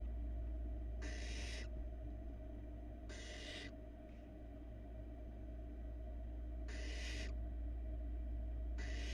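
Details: Barn owl nestlings in a Florida nest-box camera, 2022, four hatched in February; the youngest swallows a large rat. Four harsh, broadband hissing bursts, each about half a second long, come roughly every two seconds over a steady low hum.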